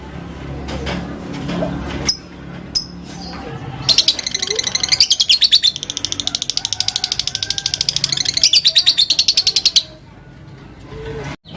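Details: Fighter lovebird calling out rivals with a long ngekek: a rapid, steady series of sharp high chirps running about six seconds without pause, preceded by a few isolated clicks and faint low background noise.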